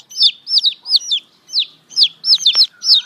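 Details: Baby chicks cheeping in clusters of two or three high, falling peeps, bursts spaced roughly every half second, with a faint clatter in the background.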